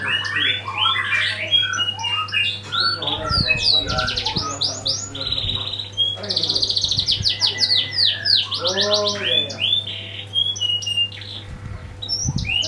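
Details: Canary song played as a lure for other birds to sing: varied bursts of rapid high trills, rolling phrases and sweeping whistled notes, with some lower warbled notes and occasional low thumps, steady hum in the background.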